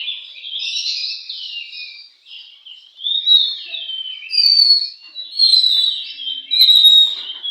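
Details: Oriental magpie-robin singing at a bird singing contest: rich, varied whistled phrases, some sliding and some warbled, broken by a brief pause near two seconds, then bursts of loud, clear notes.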